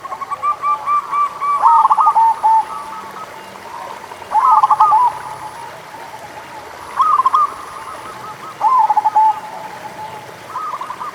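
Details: Lure song of a local zebra dove, meant to stimulate lazy singers: trilled, bubbling coo phrases repeated about every two and a half seconds, with softer cooing between them and a faint steady high whine.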